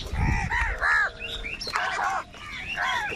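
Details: Harsh, overlapping caws from a crowd of crows fighting over food, loud at first, then softer birds answering in the background.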